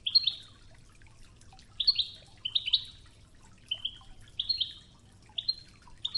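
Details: Wedani European goldfinch giving Toughza-style song for training, with river water murmuring below: a string of short, bright double chirps and twittering pairs repeated roughly every second, clear and high-pitched.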